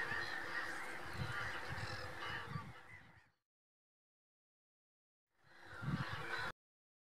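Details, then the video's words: Common pochard calling, a dense mass of overlapping low honking and growling calls with harsher notes above; the sound cuts out abruptly after about three seconds and returns briefly near the end. "Rața cu cap castaniu - Aythya ferina- Common pochard"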